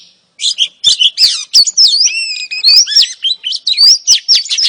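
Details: A female oriental magpie-robin calls to entice a male to sing, giving a dense stream of sharp chirps mixed with rising and falling whistled slurs and scratchy notes, loud and continuous throughout.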